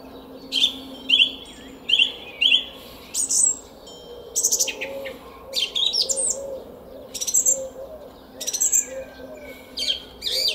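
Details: Spring dawn song of a song thrush in a Szalkszentmárton garden, Hungary, 06:15, 10 April 2021: a clear phrase repeated four times in quick succession, followed by shifting high, scratchy and whistled phrases with short gaps.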